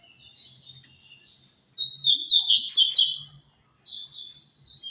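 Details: Double-collared seedeater, a tournament-style songbird, delivering a soft warbling start, a brief silence, then a loud fast run of high sharp chirps and trills that continues as quicker, fainter twittering to the end.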